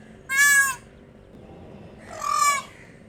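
A peacock gives two loud, nasal, trumpeting wails, each about half a second long and two seconds apart, over a faint hiss.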